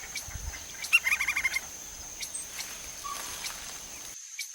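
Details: Wild Lineated woodpecker in Brazil, heard while foraging: a sharp opening note and a rapid, evenly spaced burst of about six short, bright notes. Scattered distant chirps and a constant high whine fill the background.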